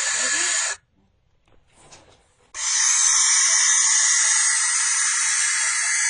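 A young barn owl gives harsh, hissing screams: a brief burst, a pause of about two seconds, then one long rasping scream of nearly four seconds.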